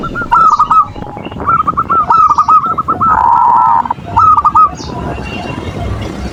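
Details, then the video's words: Perkutut, or zebra dove, used as a lure for other doves: runs of quick rolling notes, a steady buzzy coo lasting nearly a second, then a final short note run, over a soft rumbling background. "Suara perkutut pancingan birahi dan emosi,the sound of turtle doves to lure passion and emotion"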